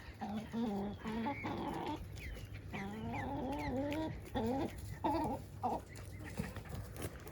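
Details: Backyard flock chickens, including maturing young roosters, give harsh, nasal squawks and clucks in uneven bursts, some rising then falling, over a low farmyard rumble.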